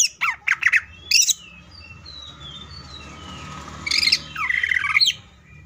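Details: Greater green leafbird, song in the "full tembakan" burst style: sharp descending chirps and squawky notes early on, a quiet stretch, then a second cluster of harsh, rising and falling phrases near the end.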